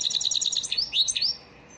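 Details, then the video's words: Elmacık goldfinch lesson song for caged birds: quick chattering twitters flowing into rising, slurred whistled notes, then fading out. "elmacık saka ders ötüm dersi"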